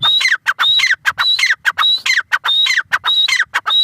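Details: Strident grey francolin phrases delivered nonstop, each opening with a clear high whistle followed by rough descending notes, in a quick even rhythm.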